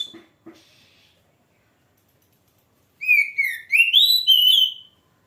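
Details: Oriental magpie-robin, called kacer: faint clicks, three seconds of quiet, then a rapid phrase of slurred whistles climbing to a sustained high note.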